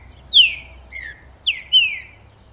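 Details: Trinca-ferro, the green-winged saltator, delivering a warming-up song meant to excite other males: a phrase of four rich descending whistles, loud first note, softer lower second, then a quick pair to finish; background otherwise quiet.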